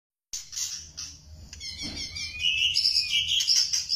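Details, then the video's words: White-rumped shama of the Thai type singing bright whistled phrases, mostly high-pitched, with a run of sweet rising notes repeated in the second half, over faint low background hum. "EMBUN MURAI BATU ALA THAILAND"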